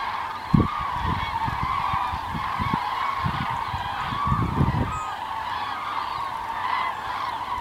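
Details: Common cranes migrating south on 9 November 2014 as winter approaches: a dense flock chorus of overlapping trumpeting, rolling calls, many birds calling at once without pause, with low thumps of wind or handling noise.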